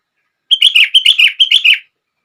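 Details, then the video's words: Sooty-headed bulbul song to trigger other bulbuls: one continuous lively phrase of about nine bubbly, slurred notes delivered in quick succession over just over a second. "Kutilang Lain gak bisa diam saat mendengar suara ini!!!"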